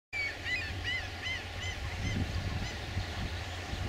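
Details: Seabirds at Viimsi, Tallinn, in June 2011, giving a quick series of arched, mewing calls, about three per second, over a steady roar of wind or surf.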